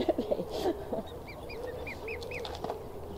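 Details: Swan cygnet chattering at Newsham Burn Pond, Blyth, on a pleasant day, 6 June 2016: a row of short, arched, high peeps, about two per half second, after a few low, murmuring sounds at the start.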